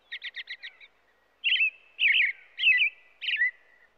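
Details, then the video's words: American robin song opening with a rapid run of five short sharp notes, followed by four loud, slurred, whistled caroling phrases spaced about half a second apart in a quiet setting. "American Robin sounds | American Robin singing"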